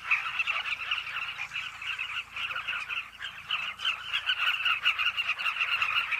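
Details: Carmine bee-eater cliff colony with numerous birds calling at once: a steady chorus of burry, rolling notes that swells louder toward the end.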